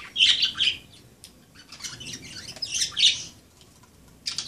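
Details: Budgerigars playing, chattering in bright, scratchy bursts of warbling chirps, high-pitched and irregular, with brief quiet gaps between flurries.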